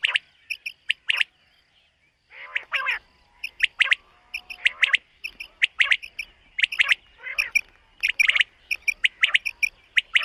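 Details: Morning calling of common quail in a summer meadow: dense runs of crisp triple-noted phrases, with a few softer nasal notes between them and several birds seemingly overlapping.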